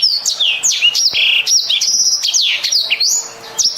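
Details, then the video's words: Lively, sweet singing from a black-throated canary: looping whistled slides, downward swoops, and held high tones strung rapidly together, with a short quieter passage near the end. "suara burung blacktrhoat gacor merdu"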